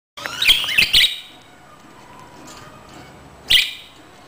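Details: A budgerigar eating from a hand gives a few sharp, high contact chirps in a quick cluster, then one more after a pause.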